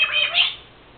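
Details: A pet Senegal parrot, female, that talks and imitates sneezes, gives a harsh squawk indoors. It is a loud, ragged double burst lasting about half a second, then fades.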